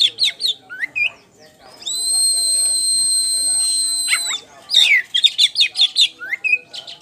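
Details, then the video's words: Champion caged poci Oriental magpie-robin in energetic ngeplong song, with staccato whistled notes and downslurs around a long, level, pure whistle held for more than two seconds, then fast repeated chirps. "PANCINGAN KACER POCI JUARA NGEPLONG GACOR"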